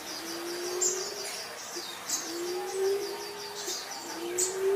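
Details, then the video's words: Green pigeon whistling softly, with three long, low, slightly rising notes spaced about two seconds apart, partly covered by busy high-pitched chirping from other birds. "Kampodu Moro, Burung punai"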